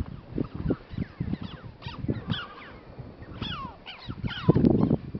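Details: Red-billed choughs (Pyrrhocorax pyrrhocorax) at Komik village near Kaza, Spiti Valley, Himalayas, India: a series of sharp, rising-and-falling 'chee-ow' calls, several birds overlapping, over low rumbling wind or handling noise.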